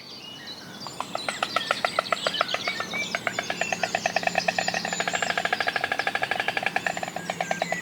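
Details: White stork at its nest at the Knepp rewilding site, Sussex, in spring, clattering as its partner flies in, head thrown back: a dry, wooden rattle of rapid bill clacks that quickens and runs on for several seconds, small birds chirping behind.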